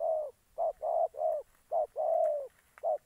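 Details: Spotted dove kept as a trapping decoy in Gia Lai, Vietnam, giving loud, mellow coos of varying length, short and long notes closely spaced with brief gaps, some overlapping calls from another dove.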